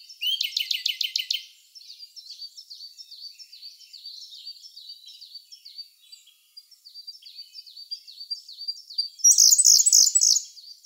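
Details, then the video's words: Siberian blue robin singing in May 2021, filmed with a Sony A1 camera: a loud, rapid rattle of high repeated notes, then a long run of softer, thin, downslurred notes, closing with another loud, fast burst. "コルリの鳴き声、さえずり (Siberian Blue Robin)"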